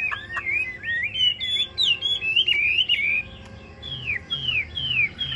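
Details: Caged Chinese hwamei delivering quick, overlapping slurred whistles, then four clear descending whistled notes spaced about half a second apart, with faint clicks in the background.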